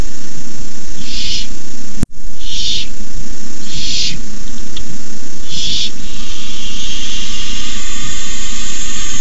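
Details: Young barn owls at their nest hiss while an adult brings a rabbit at night, 18 May 2015: four rasping noise bursts spaced over six seconds, one sharp click, then fainter hissing under constant low hum.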